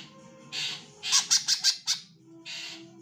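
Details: Calling female greater green leafbird, used to lure males into singing, gives a rapid series of five loud harsh squawky notes, framed by buzzy noisy bursts, with low steady hum beneath.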